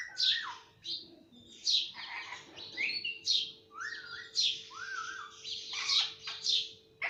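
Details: Talking pet parrot that mimics household words like papa and mummy, giving a string of husky, squawky speech-like syllables, some with rising-and-falling pitch, spaced about every half second to a second, against a quiet room with a faint steady hum.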